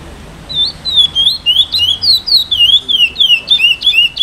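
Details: A chestnut-bellied seed finch, an 8-month-old brown (pardo) young bird beginning its song, sings a steady run of clear, slurred whistles, rising and falling, about three notes a second, high-pitched and sweet, with little else heard.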